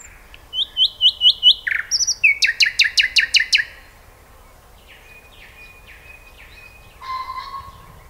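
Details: Common nightingale singing: a run of rapidly repeated whistled notes, then a burst of loud clicking strokes about five per second, followed by softer spaced whistles and a lower warbled phrase at the end; little background noise.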